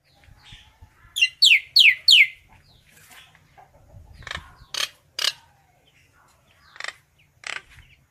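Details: Common myna calling its flock: a quick run of four loud, downslurred whistled notes, then sharp clicking chacks and a few shorter harsh notes spaced through the rest, with soft low thumps beneath.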